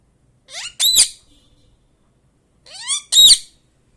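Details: Pet parrot mimicking words and sounds such as "kaka kaka"; two matching paired utterances about two and a half seconds apart, each a rising tonal sweep followed by a loud, harsh, broadband note, recorded close in a quiet room.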